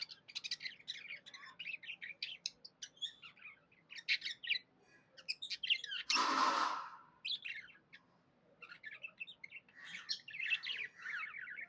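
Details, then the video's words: Budgerigar kept as a pet, happily chirping in fast, jumbled bursts of twittering notes; a loud harsh rushing burst interrupts midway, then the chatter resumes after a short quiet spell. "Happy budgie chirping sounds"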